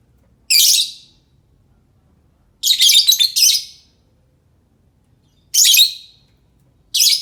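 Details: Four rough, high screeches from a lovebird, one broken into rapid stuttering pulses, with long silent gaps between. The call serves as a lure that other lovebirds will answer.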